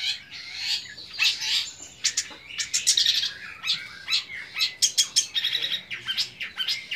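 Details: Young long-tailed shrike singing a song rich in mimicked phrases: dense, high chirps and sharp ticks in quick irregular bursts, with scratchy warbled notes between them.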